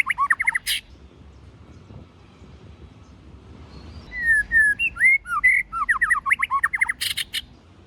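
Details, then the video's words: White-rumped shama singing in forest voice to stimulate newly caught birds: a few quick slurred notes, then loud clicking bursts, a quiet pause, and a run of whistled, up-and-down phrases ending in another sharp burst. "chòe lửa hót giọng rừng kích bổi"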